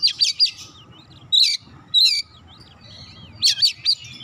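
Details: Oriental magpie-robin song, offered to get a sluggish bird singing: short clusters of sharp, rising whistles and slurred notes in three bursts separated by brief pauses, over quiet low background noise.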